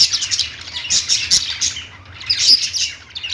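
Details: Lovebird chirping: bright, twittering high notes in quick clusters, fading briefly midway, then a renewed burst of squeaky tweets near the end.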